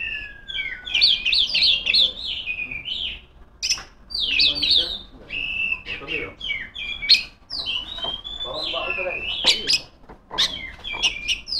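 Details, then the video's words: Singing female oriental magpie-robin calling out to rivals, delivering rich, rapid phrases of whistles, harsh squawky notes and high chips with little pause, with one short gap in the middle. "suara burung kacer gacor ngeplong memanggil lawan"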